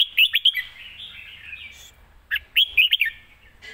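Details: Red-whiskered bulbul delivering quick, well-phrased song live: a cluster of bright whistled notes, a soft sustained warble, then another rapid run of lilting whistles.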